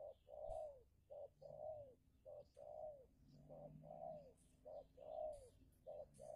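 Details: A decoy spotted dove, used to lure a wild dove in a fierce territorial contest, coos in soft, low hooting phrases: a brief note followed by a longer rounded one, repeated steadily about once a second.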